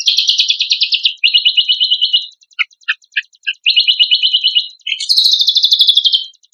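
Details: Black-winged myna song for training songbirds: rapid rattling buzzy trills in several bursts, a few separate short chips in a pause, then another high, fast trill to the end.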